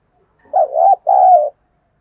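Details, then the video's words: Spotted dove's decoy calling voice, meant to draw wild doves. Two smooth, mellow coos: a rising-and-falling first note, then a longer steady second one, with nothing else audible. "Tiếng cu gáy thúc gù và gáy gọi giọng nhạy bổi"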